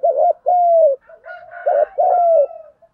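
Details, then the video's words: Spotted dove, male and female, cooing in the đồng thúc gù style used to stir untrained doves during bird training: mellow hooting coos, a short stuttered note then a long drawn falling coo, repeated twice. "Tieng chim cu gay giong dong thuc gu giong hay, chim cu gấy, cu cườm hay còn gọi nà cu đất thúc gù"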